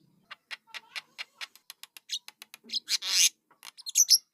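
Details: Starling chicks give a series of short dry clicks roughly every quarter second, building to louder hissing, raspy squeals near the end.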